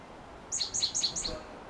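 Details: Chestnut-backed chickadee being hand-fed near Cultus Lake, British Columbia, Canada, giving a quick run of about eight thin, very high chips alternating between two pitches over one second; faint background hiss.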